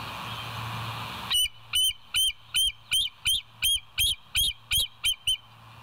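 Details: Live nature cam at the West End bald eagles, 07:02 on 28 August 2023: hiss gives way to a loud chattering string of about twelve shrill, squeaky whistled notes at a quick, even pace.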